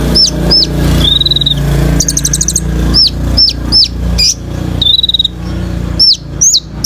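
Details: Sunbird known as kolibri ninja, recorded as training sound for birds: repeated sharp downslurred whistles, a drawn-out buzzy level trill, a quick chip rattle, over a steady low background hum.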